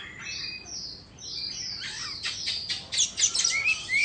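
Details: Singing white-rumped shama, Indonesian type, mid-dance: thin high whistles at first, then a quicker run of clipped, scratchy notes and two rising whistles at the close.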